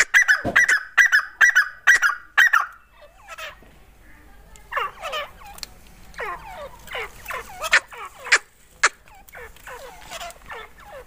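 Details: Grey francolin during a fight with a local grey francolin; loud harsh repeated notes about twice a second at first, then a series of rapid downward-sweeping chirps and clicks.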